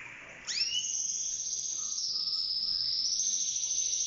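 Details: Yellow-orange mosaic canary of a breeding pair whose female has laid four eggs in the nest sings a high, rapid, rolling trill after a quick upward sweep, held unbroken for over three seconds.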